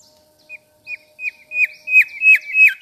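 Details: Mangrove whistler chirping sweetly, South-east Asia: a series of short downslurred whistles growing louder and closer together, ending in a sustained bright note with overlapping high chips.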